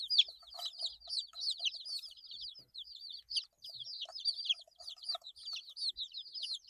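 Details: Chirping from young chicks eight days old: bright high whistles, many curving down sharply, delivered in clustered runs with brief pauses and light scratching sounds.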